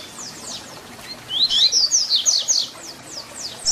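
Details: Double-collared seedeater singing the 'Tui Tui Zel Zel' fibra song used as a tutor for young birds; faint high strokes lead into a loud run of rising whistles and sharp descending notes, tapering off.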